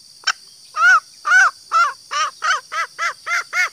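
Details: Female green junglefowl lure call for males: a sharp click, then about ten arched, nasal notes, the first ones longer and louder, the later ones shorter and quicker.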